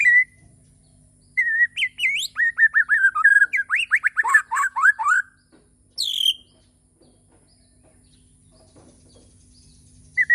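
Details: White-rumped shama from Borneo in morning song. Level whistles lead into a long, rapid cascade of chattering and sweeping notes, then a high slur, quiet, and one closing whistle.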